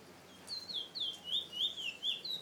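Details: A captive chestnut-bellied seed-finch (Trini bullfinch), an all-black male after its August 2017 moult, with wild 'weet' signature notes, sings a rapid, fluid warble of high, sweet whistled notes slurring up and down without pause, over a quiet background.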